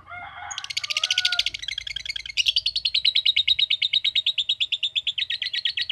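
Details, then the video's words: Lovebird starting a long ngekek: a dense burst of chatter, a brief pause, then a sustained, regularly pulsed rasping trill that carries on to the end, with low background rumble. "Cara Cepat Memanggil Love Bird Agar Ngekek Panjang"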